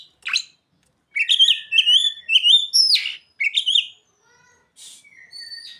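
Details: Oriental magpie-robin singing with mimicked ciblek and sogon phrases: a sharp downward stroke, then a run of bright repeated whistled notes with upturned tips, a long falling slur, and softer trailing phrases after a pause.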